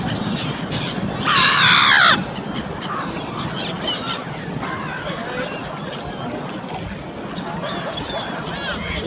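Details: Black-headed gulls crowding outside a funfair restaurant, hoping for scraps from people's snacks: one loud harsh squealing call burst over a steady crowd murmur, with fainter distant gull cries.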